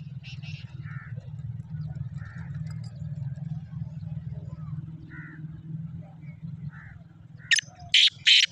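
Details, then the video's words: Black francolin, known locally as Kala Sindhi or Sahiwal teetar, recorded 14 March 2024; three loud, harsh, clipped bursts close the clip, after a steady low hum with scattered faint chirps from small birds. "Kala Sindhi Teetar ki awaz"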